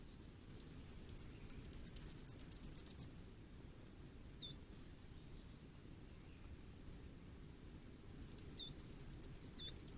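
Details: Common firecrest: a very high, thin series of rapid repeated notes lasting about two and a half seconds, a few soft high calls in a quiet pause, then the same fast run starts again.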